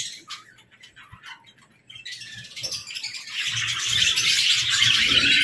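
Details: Sparse single chirps from aviary budgerigars soon swell into a loud, steady chorus of overlapping warbled chatter.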